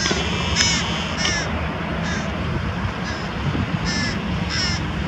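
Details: Carrion crow with prey feeding its young near Diemerbos on 22 July 2020 gives six harsh, raspy caws, about one per second, over a steady low rumble of wind or distant traffic.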